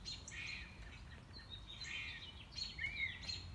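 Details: Mockingbird singing through its repertoire on a morning walk: dense overlapping whistled and buzzy phrases with a few sharp chirps near the end, steady background noise beneath.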